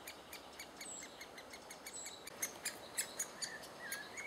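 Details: Great spotted woodpecker at a nest with adults feeding chicks, June 2011; a rhythmic series of short, high, hard ticks that grows louder toward the end, with a faint whistle near the close.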